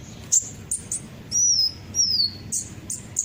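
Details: Olive-backed sunbird calls used as a lure to get other birds singing: sharp, very high chirps separated by short gaps, with two longer thin whistles that slide downward in the middle. Faint low background hum.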